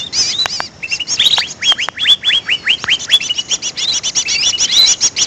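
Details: Greater green leafbird lure call with warbling notes, then a string of sharply rising whistles about two per second, giving way to fast, crowded high chirping and twittering.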